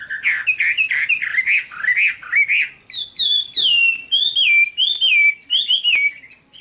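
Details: Chinese hwamei in full song, loud repeated rolling whistles followed by high clear downslurred phrases with sharp accents, varied and continuous.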